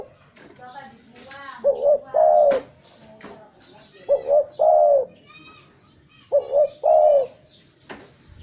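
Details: Spotted dove cooing, used for luring: three phrases of a double coo and a longer hollow note, with chirps and trills of other small birds around them.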